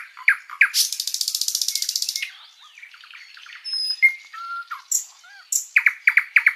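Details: Sikatan londo flycatcher singing at length as a tutor for pet songbirds. Sharp chirps give way to a long even buzzing rattle, then thin whistles and soft notes, ending with a quick series of loud downswept chirps.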